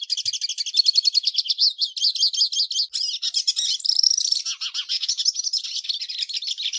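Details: Hooded siskin from Brazil singing a metallic-style song used for tutoring young birds: a continuous, fast, high twittering that opens with rapid buzzy repeated trills, then shifts into varied chattering notes and brief warbled phrases, with no other sounds.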